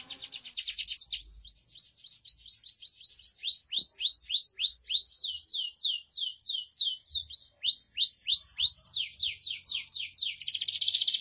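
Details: Canary song recorded as tutor material for training other canaries: a long series of rapid downward-swept chirps, about three per second, ending in a dense high trill.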